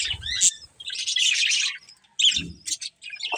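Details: Paired budgerigars chirp and warble in choppy high bursts, squeaky notes rising and falling, with short gaps and a low thump or flutter between calls.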